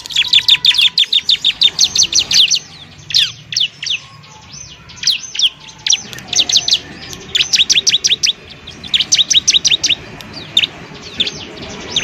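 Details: Bar-winged prinia master recording for other songbirds: long, lively sequence of fast, high chirps in repeated rapid bursts, each run followed by a brief pause.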